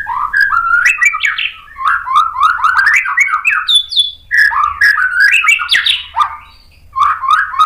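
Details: White-rumped shama singing to provoke other shamas: a fast, varied stream of short whistled and chattered phrases with sharp rising and falling notes, repeated in bursts with brief quiet gaps, and faint low background rumble.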